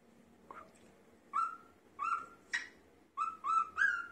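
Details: A male cockatiel whistles Queen's "Another One Bites the Dust" in clear, level notes with quick upward slurs, trying to win over a female, who seems unimpressed.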